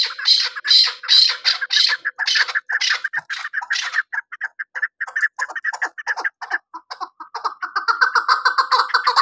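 Chukar giving a rapid run of harsh, clucking chuck notes, roughly two per second, rising into a scratchy, rhythmic chatter.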